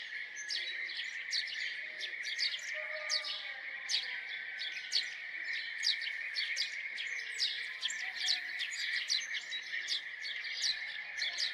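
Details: Continuous chorus of house sparrow chirps, quick sharp 'chip' and 'cheep' notes running almost without pause above a steady droning background tone.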